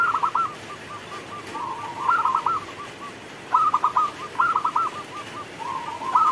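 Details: Zebra dove, a local bird, in full song during rainfall: choppy clusters of quick cooing notes trailing into soft, evenly spaced purrs, the pattern repeating twice over a constant background hiss.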